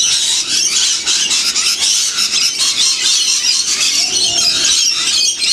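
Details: Winter feeding flock of wild lorikeets in the Blue Mountains area of Australia, about 30 km from Sydney; unbroken shrill chattering and screeching from numerous birds, raspy and high, filling every moment.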